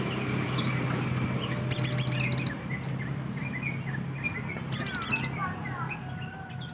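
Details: Black-capped white-eye singing energetically, two bursts of very high, rapid, bright twittering notes, each introduced by a single sharp chip, with faint softer bird calls in the background.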